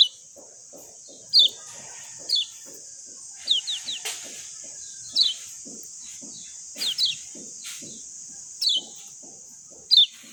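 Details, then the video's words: Lemon-bellied white-eye of Lombok giving scattered short, high downslurred chirps, sometimes in quick pairs, against a strong constant hiss and steady low dripping. "JOS GESIT SUARA JERNIH ALAMI BIKIN KECIAL KUNING CEPAT RESPON"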